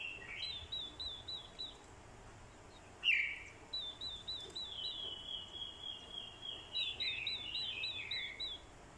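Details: Decoy orange-headed thrush in fighting song, urged on by a female's call: rows of quick, repeated high chip-like upslurs, one sharp louder note, and descending warbled phrases over a hiss.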